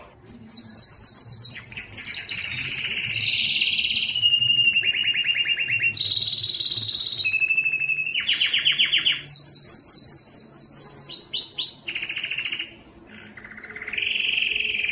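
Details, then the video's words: Singing yellow canary delivering a long sequence of rolling trills and tours, each phrase a fast pulsed rattle at a different pitch, with brief high whistled sweeps and a short pause near the end. "yellow canary singing"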